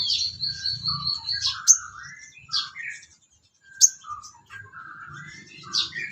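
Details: Sooty-headed bulbul song as tutoring material for songbirds: a high trill, then liquid falling whistles and sharp accented notes separated by short pauses.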